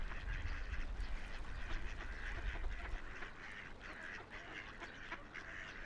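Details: A flock of ducks on a quiet river, floating and splashing, keeps up busy overlapping quacks. A deep water rumble fills the first three seconds, then fades under the steady chatter.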